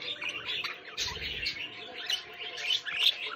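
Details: Budgerigar chick kept as a pet, chattering in dense, scratchy warbles and short chirps, high and busy throughout, with a brief low thump near the second.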